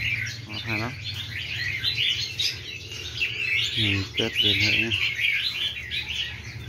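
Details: A chorus of newly caught wild red-whiskered bulbuls keeps up a dense, bright chatter of quick whistled phrases, with a man's voice speaking briefly over it twice.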